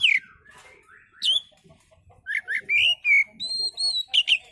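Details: Oriental magpie-robin's relaxed song, used to lure other birds: a descending whistled slur, rising sweeps, then a series of rich warbled whistles and long steady pure notes, closing with a sharp twittered phrase.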